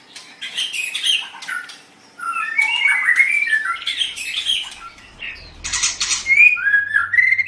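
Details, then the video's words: Pet white-rumped shama training song: dense chattering and whistled phrases with harsh squawky notes, a short pause, then more varied warbling and a low hum near the end. "Suara Burung Murai Batu"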